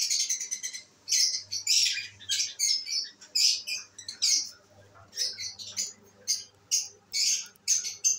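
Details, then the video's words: Albino red-eyed pet lovebirds enjoying themselves indoors; rapid, shrill chattering notes in dense bursts, repeated with brief pauses through the stretch, a faint low hum in the background. "My love birds enjoying today"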